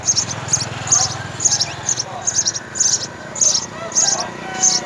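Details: House sparrow nestlings, three of them, call while the mother and father bring food: a run of about ten sharp, high chirping bursts in five seconds over a low background hum.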